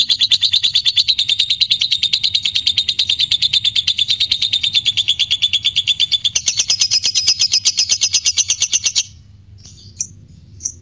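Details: Fighter lovebird in long ngekek song, played to provoke arousal in other lovebirds: a rapid, continuous shrill chatter of about three notes per second, sustained around nine seconds and shifting higher partway, then stopping, followed by two brief chirps.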